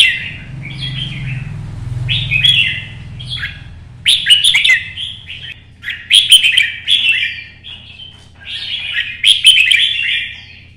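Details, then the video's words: Red-whiskered bulbul in Vietnamese competition singing, solo style: about eight lively warbled phrases, each a burst of quick slurred whistles with crisp clicks, gaps of roughly a second, low background hum. "CHÀO MÀO | Nắng sớm solo chạy cầu hót đấu kích chim"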